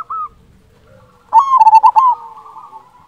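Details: Big-voiced local zebra dove singing vigorously. A short soft coo comes first, then one loud phrase of quick pulsed coos lasting under a second, trailing into a faint quavering note.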